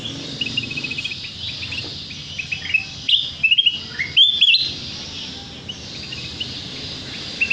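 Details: Sooty-headed bulbul lure sound used to attract birds and set them singing their repertoire: thin, high chirps in loose runs, then a clustered burst of louder, sliding notes midway, over a constant hissy background.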